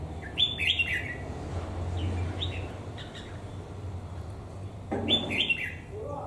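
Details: Caged red-whiskered bulbul, an untrained bird kept over a year in a cage, caught wild and raised in a household, with dark bib and large build; short bright chirping phrases with quick rising and falling notes, repeated in bursts over low background hum.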